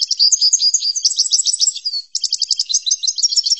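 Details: European goldfinch song used for training, a fast, unbroken high twitter of tinkling notes and buzzy trills, with a brief pause midway before the bright chattering resumes.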